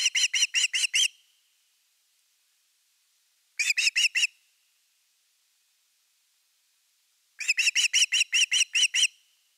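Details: Osprey at its nest in the evening of 30 August 2021, during a fish delivery, gives three bursts of fast, shrill whistled chirps. The first has about six notes, the second five, and the last about nine, separated by silent gaps.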